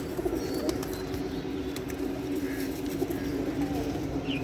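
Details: Newly acquired pigeons waking in the morning, giving a steady, low, rolling coo that hums on without pause, broken by a few sharp wing-flap clatters and a soft background hiss.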